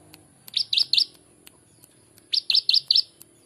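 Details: Prinia with a ciblek-style song recorded for training birds: two bursts of three or four loud, slurred, bouncing chirps, with a pause between, over a low background murmur and a thin steady whine.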